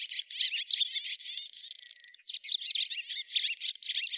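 A swallow sings a fast, continuous twittering warble of high chirps, buzzy notes and quick trills, running almost without pause.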